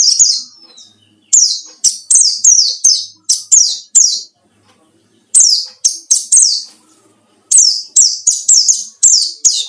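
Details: Wild forest white-eye singing to seek out rivals, used as a lure: bursts of very high, thin, sharply descending chirps, run together in rapid strings of four to six notes with short silent gaps between bursts.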